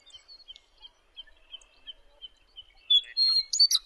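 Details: Western meadowlark on territory in Wyoming, singing; soft scattered chips and faint notes lead into a loud, bubbling phrase of high, rapid whistled notes in the final second.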